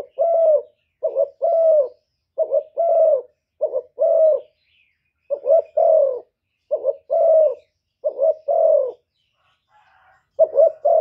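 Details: Spotted dove with a 'thổ thúc' voice, cooing and calling to provoke wild rivals: low, hollow paired coos, a short note followed by a longer slurred one, repeated about ten times with brief pauses, no other sounds.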